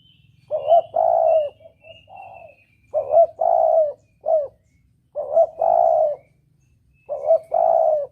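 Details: Spotted dove, a clear lure recording for hunting in the double 'kuk' style, giving low hollow coo phrases of two to three notes, each ending in a long held coo, repeated about every two seconds, with a faint high thin whistle above.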